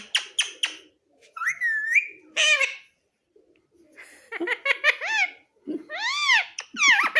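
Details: Pet Pahadi parrot talking, said to say "Mummy Papa": loud, high, rasping word-like bursts with strongly arched, harmonic-rich notes, a few quick clicks at the start, short pauses between phrases, indoors.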